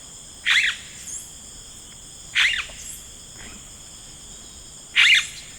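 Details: Rainforest yellow-rumped cacique: sharp, noisy, chattering bursts spaced about two seconds apart, each trailed by a faint softer note, with a constant shrill insect chorus behind.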